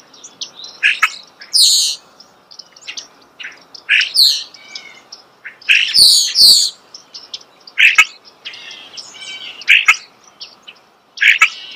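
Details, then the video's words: Starling singing close up in natural surroundings: a varied run of short chirps, squeaky whistles and buzzy rasping notes in bursts, with brief pauses between phrases and clicks mixed in. "The song of the starling"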